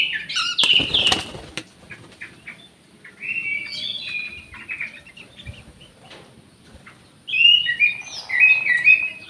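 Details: Orange-headed thrush singing in an aviary alongside another bird, the recording used as therapy for birds reluctant to sing: varied whistled and warbled phrases at about 1 s, 3–4.5 s and 7.5–9 s, with a loud broadband flutter or rustle near 1 s.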